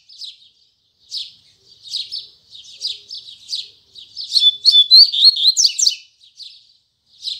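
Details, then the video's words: A double-collared seedeater sings the 'tui tui zel zel' song firmly in the morning. Soft scratchy chirps repeat about once a second, then swell into a loud, rapid run of whistles and buzzes before fading back to soft chirps. "Coleiro Braddock Abrindo Canto Tui Tui Zel Zel Firme Pela Manhã!!!"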